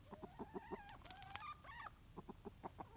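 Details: Rooster dust bathing and making comforting sounds for a hen: rhythmic low clucks in short repeated pulses, broken midway by a louder rising, squawky call with clatter, then steady soft clucking resumes.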